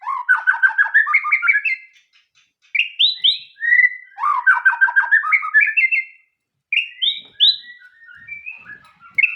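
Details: White-rumped shama song with two rising stuttered trills, each followed by bright whistled notes, separated by a short silence and ending in soft twitters.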